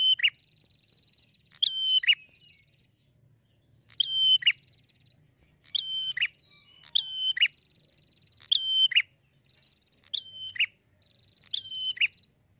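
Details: Prinia song said to get any prinia answering straight away: eight bright phrases, each a clipped onset, a level whistled note and a dropping buzz, repeated steadily over twelve seconds.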